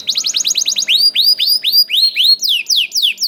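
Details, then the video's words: Canary, young bird, singing to stimulate other canaries: fast rising chirps followed by a steady series of loud curved whistles, about four per second. "KENARI GACOR DOR NGEDUR NGOTOT CUIT CUIT NGEROL AMPUH PANCINGAN KENARI PAUD"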